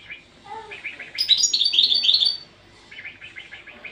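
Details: Goldfinch training song with a European goldfinch delivering scattered chirps, then a loud, rapid, high liquid twitter, ending in a quieter string of repeated chirping notes.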